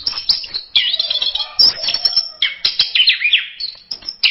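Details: Orange-headed thrush delivering varied masteran song, rich high warbles and swooping whistled slurs in quick succession, with scattered sharp clicks and no pauses longer than a moment.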